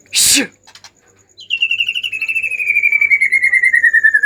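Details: Agitated white-rumped shama, sung to trigger other shamas: a loud harsh burst, then a long, fast, evenly pulsed whistled trill that slowly drops in pitch.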